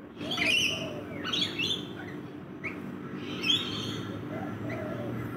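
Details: Rainbow lorikeets feeding in a backyard give shrill, harsh chattering calls in bursts, some with lower squeaky notes, against constant low background rumble.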